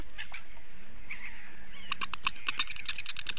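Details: A female Eurasian bittern in Latvia, defending and calling loudly at 8:42 AM on 28 April 2022, gives harsh, rapidly repeated barking notes that speed into a rough burst, over a steady low rumble of wind or background noise.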